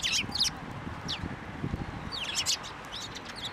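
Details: Sparrows gathering on a person's hand to be fed at a Tenmangu shrine in March 2024: a few loud, sharp, slightly buzzy chirps in short clusters over a steady low outdoor murmur.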